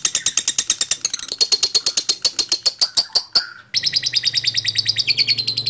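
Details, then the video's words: Lovebird singing in a long fast chattering trill of rapid high notes, broken by a brief pause, then resumed at the same quick pace. "LOVEBIRD SINGING"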